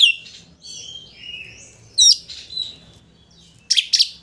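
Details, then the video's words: Oriental magpie-robin song played to provoke a rival into opening its tail: warbled slurred whistles drifting downward, then sharp buzzy bursts near the end over a faint low hum. "Pancingan Kacer Gacor Untuk Memancing Emosi Lawan Agar Mau Buka Ekor"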